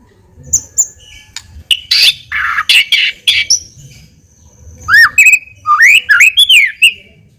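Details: White-rumped shama song used as a lure to provoke a response: harsh buzzy bursts followed by loud clear whistled notes that swoop and rise, several varied phrases in quick succession.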